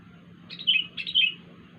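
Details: Strange call from a wild sooty-headed bulbul: two matching short phrases, each a sharp attack sliding into a falling, slightly buzzy whistle, about half a second apart.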